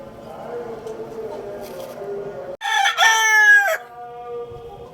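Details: Rooster crowing: a low murmur of background tones, then a sudden loud, harsh crow of about one second with rich stacked harmonics that slides down at the end, followed by a soft lingering hum.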